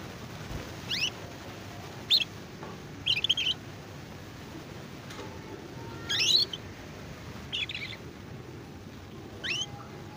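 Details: Young AF canary learning to sing in the twittering style called ngeriwik: short, sharp high chirps, some sliding, come singly or in small clusters every second or two over a steady low hum.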